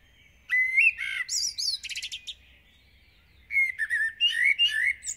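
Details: Dawn song of a common blackbird in a village, delivered intensely: a rising fluted whistle breaks into thin scratchy chatter, then after a short silence a second verse of mellow slurred notes and high twitters.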